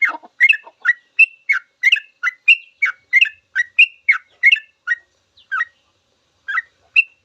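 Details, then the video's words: Sooty-headed bulbul in full, long song used as a master recording for teaching caged birds: rapid bubbling phrases of short chirpy notes, about two per second, with a few brief pauses near the end. "Suara trucukan full ropel panjang cocok buat masteran trucuk belajar bunyi langsung ikut ropel"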